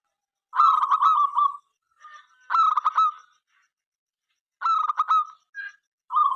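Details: Local zebra dove in active song, meant to invite other doves to sing: separate phrases of rapid stuttering coos ending in a short roll, spaced by pauses, with softer faint notes between.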